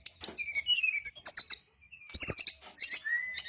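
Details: Varied chirping song of a brown-chested jungle flycatcher, played to make other birds respond: falling whistles, clustered sharp notes, a brief pause, then more high chirps and a long level whistle.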